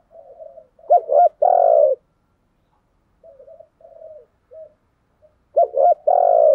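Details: Spotted dove used as a decoy, calling to provoke rival doves. Two loud phrases of quick short notes and a sustained coo, with quiet murmured coos filling the gap between them.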